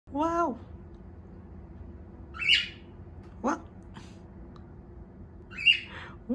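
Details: Two cockatiels in a morning display, showing off their wings, give harsh, scratchy squawks and quick rising whistles in short, irregular bursts.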